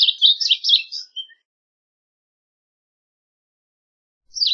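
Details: Varied bunting song: a quick, jumbled warble of high, sweet notes lasting just over a second, then silence until a second phrase begins at the very end.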